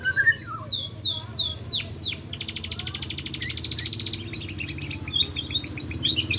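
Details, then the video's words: Spotted three-month-old white-rumped shama learning its song, including sharp sweeping besetan: a few rising notes, then repeated high downward slurs, then a rapid buzzing trill of very high chips. "Murai Batu Trotol Jahat Usia 3 Bulan Belajar Bongkar Isian Besetan & Tembakan Tajam"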